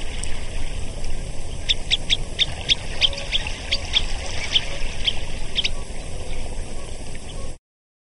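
Semipalmated sandpipers give a dozen or so short, sharp, high chirps in a quick, uneven series, over a steady low rumble of wind or surf.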